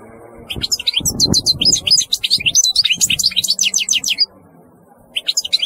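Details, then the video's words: Goldfinch in full song, a dense, lively stream of high twitters and liquid chirps running for about three seconds, pausing, then resuming briefly; faint low knocking underneath. "تغريد رهيب للحسون"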